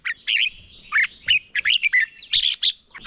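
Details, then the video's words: Red-whiskered bulbul decoy bird in competitive song to train others: continuous chattering run of slurred, whistled notes, rising and falling quickly, about three per second. "Chào mào mồi hót đấu quá tuyệt - Luyện giọng Chào mào hót hay ép bổi sổ bọng và căng lửa"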